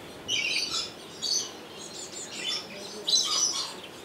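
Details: Rainbow lorikeet kept at Opole Zoo, Sony HDR-XR160E camcorder recording: shrill, grating squawks in about four clusters, the last pair the loudest, against soft steady hiss.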